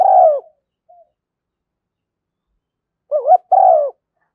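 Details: Female spotted dove calling as a lure to attract doves, thúc gù and gáy gọi styles: a long falling coo, a faint soft note, a long silence, then a rippling two-part coo and another drawn-out descending note.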